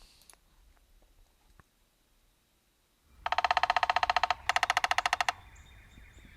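Two Downy Woodpecker drum rolls, each a steady burst of rapid wooden taps lasting about a second, with a short pause between. Faint room noise before them.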